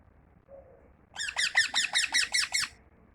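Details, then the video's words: Pet parrot, kept tame indoors, utters a tight series of eight buzzy, harmonic chirps in under two seconds after a faint low note, over a quiet room background. "Parrot chirping"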